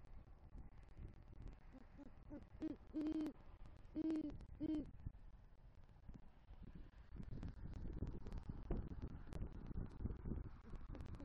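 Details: Night at a southwest Florida great horned owl nest tree, where the male brings rodent prey and calls the female. A few faint notes lead to three louder deep hoots midway, then mostly quiet rumbling background.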